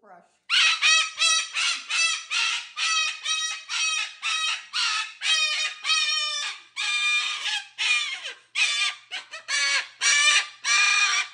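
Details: Pet cockatoo calling loudly indoors at home; rapid series of harsh, raspy squawks, roughly two to three per second, continuing without pause for about ten seconds.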